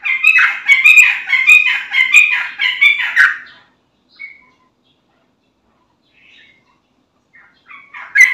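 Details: Yellow-vented bulbul in vigorous song, played as a lure so other bulbuls reply. Rapid bubbly chattering phrases for about three and a half seconds, then near silence with a few faint notes, and a short loud phrase at the end.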